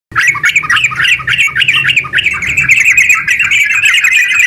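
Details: Sooty-headed bulbul in prolonged 'gacor ropel' song, a long, rapid, nonstop chatter used as a lure to get other bulbuls singing; dense burst of quick chirpy, warbled notes tumbling over one another with a steady mid-high pitch.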